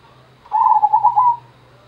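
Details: Zebra dove (perkutut) of the gendowo song style, a single phrase of rapid soft cooing notes around one pitch lasting under a second, ending in a longer trailing coo; faint low hum behind.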